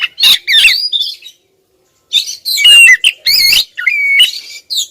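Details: Female Oriental magpie-robin calling insistently at a male: bursts of harsh, scratchy notes mixed with clear whistled slurs and a long level whistle, grouped into two loud phrases separated by a second of silence.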